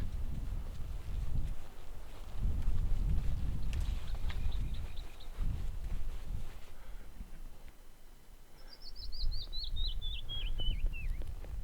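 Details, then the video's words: Canyon Wren song in a remote canyon in the American Southwest at evening, about two hours before dark: a fast cascade of clear whistled notes tumbling down the scale over about three seconds, after a fainter run earlier, over steady wind rumble. "the unmistakable sound of a Canyon Wren!"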